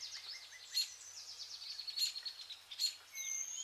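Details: While eating pearl millet in August, vernal hanging parrots produce shrill high chirps and a few sharp squeaks about every second against a chatter of softer overlapping notes.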